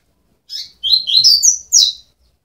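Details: Double-collared seedeater nestlings, 12 days old, give a quick run of thin, high chirps that slur up and down, lasting about a second and a half in a quiet room.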